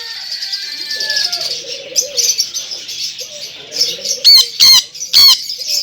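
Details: Sun conure giving soft chattering notes, then three loud, harsh, screeching squawks in quick succession near the end, with faint low murmuring underneath.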